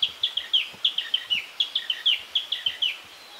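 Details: Quick chattering string of high clipped notes, roughly fifteen in three and a half seconds, with lower notes interleaved, sung by a Narcissus flycatcher in leafy countryside of Kita-Harima, Hyogo Prefecture, Japan.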